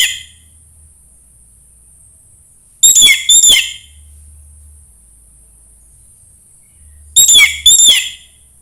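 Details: Orange-headed thrush singing, used to coax other birds into song: two short bursts of quick doubled whistled notes about four seconds apart, with a constant high-pitched whine running underneath.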